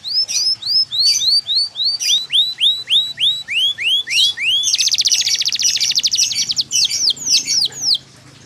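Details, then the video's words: Song of a yellow canary: clear rising whistled sweeps repeated in quick series, then a loud buzzy rolling trill, ending with a few more upslurred notes before falling silent. "CANARY YELLOW CANARIO FIGHTER"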